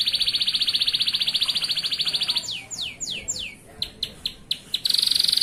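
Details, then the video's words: Male local canary singing to train young canaries: a long rapid buzzy trill, then four sweeping down-slurred whistles and sharp short clicks before the buzzy trill returns. "SUARA BURUNG KENARI GACOR UNTUK MASTERAN KENARI PAUD"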